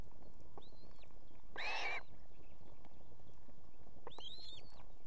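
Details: In Estonia, a nesting female osprey with two chicks summons her mate to bring fish. Arched, whistled high notes come with one louder, rougher burst in between, and a paired whistle follows near the end.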